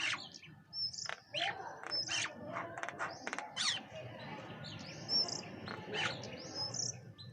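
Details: Bank mynas feeding together with pigeons; harsh, broadband chirps and squawks come in quick overlapping bursts, mixed with thin high whistled notes over a low background rumble.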